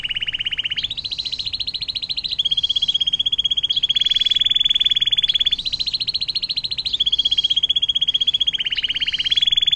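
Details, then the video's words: Canary delivering a long 'air mancuran' fountain-water song used to train other songbirds; unbroken chain of fast, loud rolling trills, each section shifting slightly in pitch every second or so, with high whistled overtones. "KENARI DENGAN LAGU AIR MANCURAN PANJANG"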